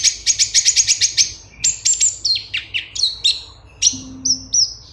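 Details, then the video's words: Cucak cungkok bulbul song, a recording meant for tutoring caged songbirds: a fast run of sharp, high chirps, then sweeping descending whistles and short slurred notes in quick succession, clean with no other sounds. "Suara Cucak Cungkok kualitas jernih, untuk masteran"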